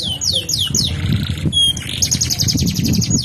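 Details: Canary delivering a continuous rolling (ngerol) song, singing vigorously: a run of quick high descending whistled sweeps, a brief buzzy section, then a fast bright trill of repeated notes, over a steady low rumble.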